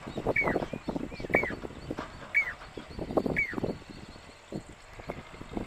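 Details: Jacobin (pied) cuckoo song in the Aravalli hills near Roopgarh, Sikar, Rajasthan, India, July 2020: clear, ringing whistles that slur downward, about once a second, over heavy low rumbling background noise.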